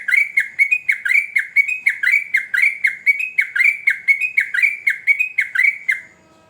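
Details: Sooty-headed bulbul in full, vigorous song: a fast run of bright, slurred whistled notes, about two per second, each dipping then rising, sustained for six seconds before stopping.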